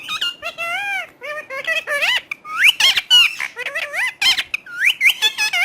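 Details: Pet talking parrot chattering in quick bursts of mimicked speech, high squeaky syllables sweeping up and down, with some harsh noisy squawks between them.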